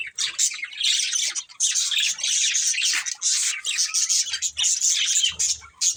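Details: Budgerigars in a family group keep up a continuous warbling chatter of rapid squeaks and chirps, steady throughout, with faint low thumps near the end.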